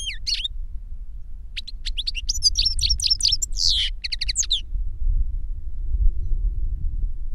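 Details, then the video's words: Goldfinch song from a teaching pair, an adult master and a novice that learned its song from a recording; a short twitter, a pause, then a dense string of chirps and a harsh buzzy note before quiet. "Jilguero maestro cantando reclamo y enseñando a otro jilguero novel"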